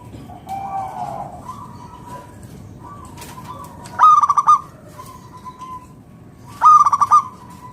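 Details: Vigorously singing local zebra dove, used to prompt other doves to sing. Softer drawn-out coos lead into two loud phrases of rapid, stuttering coo notes, roughly three seconds apart.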